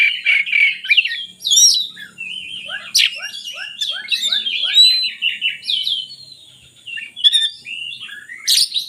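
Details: Oriental magpie-robin song for stirring lazy birds to sing: fast varied phrases, a run of repeated short descending notes, sharp high accents, chattering throughout.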